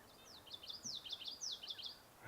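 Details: A common yellowthroat (Geothlypis trichas) sings on a warm early-May Sunday morning at Sargeant Bay Provincial Park, British Columbia, Canada. It gives quick, high, down-slurred phrases, about five in two seconds, against a soft outdoor hiss.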